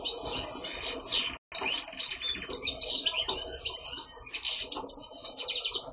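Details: Male European goldfinch kept in a cage for pairing with a female linnet, a bird that sings all day until dark. Fast jumbled twitters and bright chirping phrases, with one brief silent break early on and a soft low background hum.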